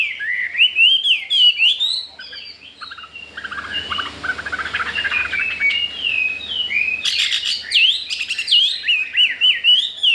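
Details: Newly arrived Chinese hwamei, eager to breed and unafraid of resident birds, delivering a long, lively song of rapid rising and falling whistled slurs, with a softer warbling middle stretch and a burst of sharp clicking notes near the end.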